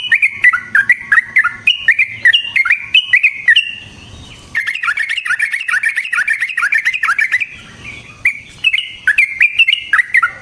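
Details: Sooty-headed bulbul singing a long rolling lure song meant to rouse and trap other bulbuls: dense runs of sweet whistled notes, two short lulls, then fast bright phrases again.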